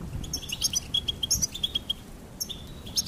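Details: Brief goldfinch chirping: a quick series of high, clipped notes at a fast, uneven pace, with a few sharper twittered accents, over faint low background noise.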